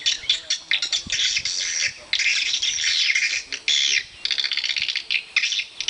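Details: Swiftlet house chorus: shrill squawky chirps and buzzy twitters from numerous swiftlets, rising in loud dense bursts between short quieter gaps.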